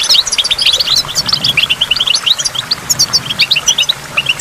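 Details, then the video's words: Goldfinch by a waterfall delivering a lively, tinkling warble of clipped high notes and short upward slides, phrases tumbling into one another with barely a gap. "in the waterfall stimulates goldfinch and water drops"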